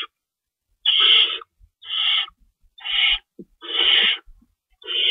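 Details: Owls at a nest at feeding time before dawn, March 25, 2012, while an adult shreds prey for the young. Loud, breathy rasping screeches come in long bursts under a second apart, with a few faint knocks between them.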